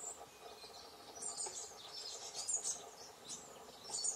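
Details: Begging calls from a pair of great tit chicks asking for food, June 2020. Sharp, very high chittering bursts come in clusters about every second and grow louder and more insistent toward the end, with quiet background hum.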